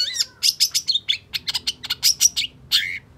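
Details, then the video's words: Long-tailed shrike in emotional, vigorous song meant to spur a silent bird into singing: dense run of scratchy, varied notes and short whistled slurs, delivered quickly with almost no pause. "Suara Cendet Pentet Gacor Emosi Sangat Cocok Buat Cendet Macet Agar Cepat GASSS"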